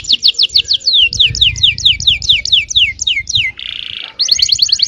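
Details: Yellow canary singing a lure song meant to provoke other canaries: rapid series of sharp descending whistled notes repeated several per second, a brief buzzy rattle near the middle, then fast trilled notes resuming.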